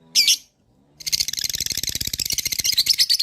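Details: Lovebird launching a long trill to provoke answers from other lovebirds: one brief shrill note, a short silence, then a dense, rapid buzzing chatter of high chirps.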